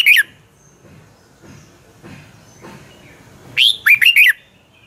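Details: Thai Red-whiskered bulbul, Pa La-u type, singing in the 'double' song style. A clipped note starts the clip, then faint low rustling, then one loud phrase: a rising whistle and three quick liquid notes.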